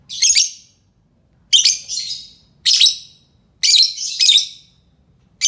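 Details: Lovebird calls used to lure other lovebirds: sharp, harsh shrieking chirps in short bursts, some doubled, repeated about every second with silent gaps between.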